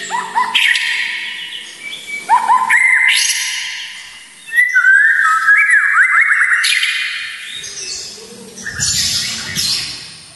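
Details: White-rumped shama in a full-variation training song meant to provoke emotion: varied whistled phrases, some rising, some falling, separated by short pauses, with a quick rippling run in the middle and a brighter phrase near the end.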